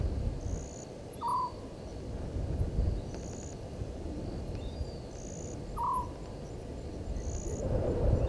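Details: Southern white-faced owl calling at 00:40 at night on 17 November 2019, Gowrie dam waterhole, Djuma Game Reserve, Sabi Sand Wildtuin, South Africa. Two short, mid-pitched hooting notes about four and a half seconds apart, over steady low rumble and high insect trills.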